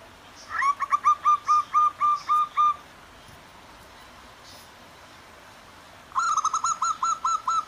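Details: Male and female zebra doves calling to each other in the wild by clear water in the morning: a fast run of ringing whistled notes, a silent gap of several seconds, then another rapid trilled burst, notes about four per second.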